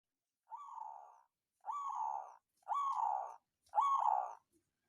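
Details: Local zebra dove of the songgo ratu type, used as a lure to arouse rival birds and coax lazy birds into singing: four soft, rolling cooing phrases, each under a second, spaced about one second apart, otherwise quiet.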